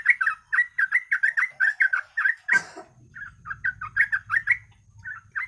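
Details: Lure recording of yellow-vented bulbul song meant to get birds singing: lively runs of bubbly, slurred notes repeated about three times a second, broken by a brief noisy thump, then a low hum underneath.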